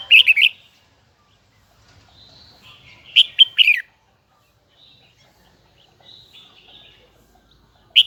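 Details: Red-whiskered bulbul, Huế style, singing high twisting double notes: short loud bursts of chirpy whistles separated by quiet gaps with faint soft warbling, a final sharp note at the end.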